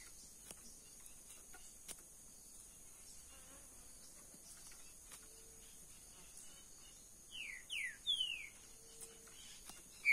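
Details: Caged green-winged saltator (trinca-ferro verdadeiro): a quiet stretch of sparse clicks, then a burst of three steeply falling whistled notes, with one more sharp whistle at the very end.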